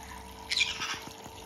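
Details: A pet green-cheeked conure investigating a new bathtub gives one short, harsh, high squawk, followed by faint clicks and drips of water.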